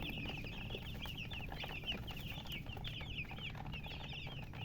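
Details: Poultry chicks, dyed in colours, peep while thirsty for water; a crowd of shrill, quick chirps overlaps without pause, each note a brief falling whistle, with a low background drone beneath.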